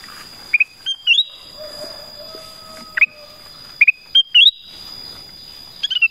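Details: Black-crested bulbul, known locally as kutilang emas, singing short whistled phrases of falling and rising notes in bursts about a second apart, over a steady high thin whine and soft background hiss.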